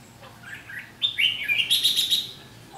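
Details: Fighting song of a Red-whiskered bulbul used as a decoy in a trap, 7 July 2016: soft warbles then a loud run of high, clear whistled notes repeated about five times in quick succession.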